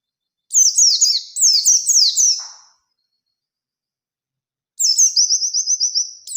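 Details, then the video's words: Oriental white-eye singing in the 'ngalas ngerol nembak' style, looking for a rival: a burst of rapid, high, downslurred whistles, a long silence, then another run ending in evenly repeated thin notes. "Burung PLECI GACOR Ngalas Ngerol Nembak Mencari Lawan | Pancingan Pleci Cepat Nembak"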